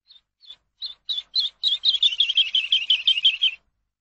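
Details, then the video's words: Eurasian skylark song recorded for teaching captive birds: spaced high whistled notes that quicken into a dense, rapid warbling trill lasting about two seconds, with no other sounds. "ALONDRA COMÚN AVE; CANTO PARA ENSEÑAR"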